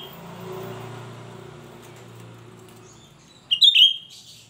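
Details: Shrill singing of a cucak rante, a call used as a lure for other birds of its kind: steady low rumbling noise, then near the end one loud, sharp, high warbled burst lasting under half a second.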